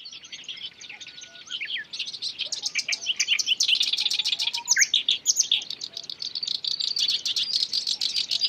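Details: Wild black-browed reed warbler, filmed in the moment it catches an insect: a dense, harsh chattering stream of rapid buzzy and scratchy notes. The notes start soft and grow louder, with a few short slurred whistles mixed in. Faint background hiss.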